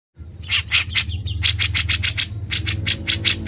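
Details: Grey-cheeked bulbul (cucak jenggot) in gacor, ngebren style, used as a master recording for training other songbirds: rapid harsh, buzzy chattering bursts, then evenly repeated rasping notes with short sharp high pips, over a low steady hum.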